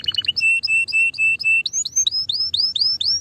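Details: Singing canary delivering varied phrases: a few quick high chirps, then a run of level whistled notes repeated about four times a second, followed by rising upswept whistles in a steady series.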